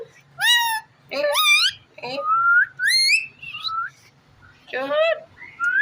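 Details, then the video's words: Rose-ringed parakeet kept as a pet indoors, producing loud squeaky harmonic whistles and smooth rising notes in about six bursts, with faint room hum underneath. "Amazing parrot talking funny clips"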